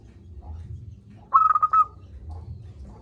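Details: A single zebra dove phrase, a local bird with a big voice, played to stir lazy doves into calling: a quick run of five or six clipped, even coos lasting about half a second, set against low steady hum.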